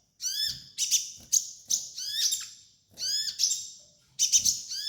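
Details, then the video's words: Sunbird singing as a training master: rapid, high-pitched chattering bursts of descending slurred notes and a brief piercing whistle, three phrases separated by short pauses, soft low rumble behind. "MASTERAN KOLIBRI NINJA DAN TERAPI KONIN BAHAN"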